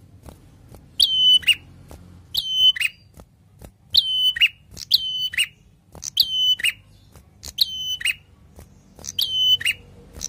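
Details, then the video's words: Prinia singing in a lively, full-voiced style, giving a repeated phrase: a sharp click, a high steady whistle, then a lower buzzy note, about seven times with short pauses and faint clicks between. "PRENJAK GACOR SUARA NGALUN MANTAP MANTAP!"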